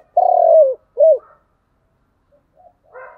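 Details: Spotted dove, thúc gù cooing: a long loud throaty coo that falls at the end, a short arched coo, then quiet scattered soft notes.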